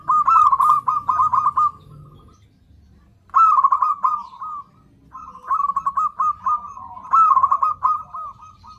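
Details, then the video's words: Zebra dove lure call to pull in other zebra doves: three long phrases of fast, bubbling, rolling coos at a steady pitch, separated by brief quiet gaps. "Suara PIKAT PERKUTUT super gacor cocok buat PANCINGAN SEMUA PERKUTUT"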